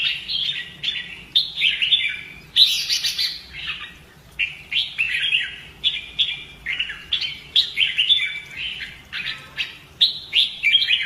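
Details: Red-whiskered bulbul practising its fighting song, with excitement calls: continuous series of quick, slurred whistles, mostly falling in pitch, grouped in short bursts, with one harsh squawking phrase near the start.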